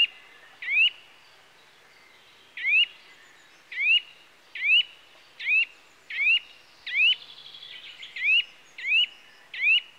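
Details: A Eurasian nuthatch (Sitta europaea) gives short, sharp, upward-sweeping whistled calls, about ten in ten seconds at uneven intervals, over faint background hiss.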